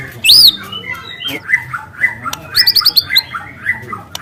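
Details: Wild juvenile White-rumped shama with speckled plumage singing long, loud canary-like phrases: a bright rising-falling whistle, then scattered chirps and a quick run of repeated high notes.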